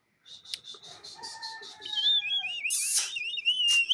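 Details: Male and female parrots calling and chattering. Thin level whistled tones give way to a wavering, warbling whistle, broken by a sudden loud harsh burst and a sharp squeak near the end.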